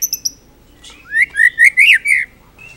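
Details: White-rumped shama singing a full-repertoire song meant as a master recording for training other birds: three short high chips, then a rich run of loud, warbling whistled notes that rise and fall in linked phrases.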